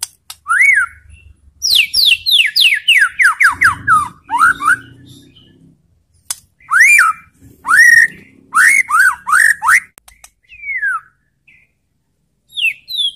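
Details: Aggression-provoking song of a white-rumped shama: series of steeply falling whistled notes in quick succession, broken by short gaps, with rising-then-falling slurs returning in loud clusters.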